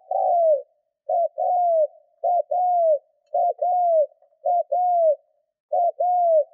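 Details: Decoy spotted dove in training gives a steady run of coos to excite wild doves. Each unit is a short note plus a longer descending coo, repeated about every second, six times in a row.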